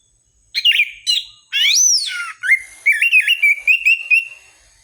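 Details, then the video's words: Orange-headed thrush song used as a lure recording to prompt kept birds to sing more: clear, loud whistled phrases, first a swooping slurred note, then a run of quick, even, warbled notes at a steady pitch, in a clean recording with no other sounds. "Pancingan anis merah paling ampuh dijamin burung manapun akan ikut bunyi gacor ngeplong"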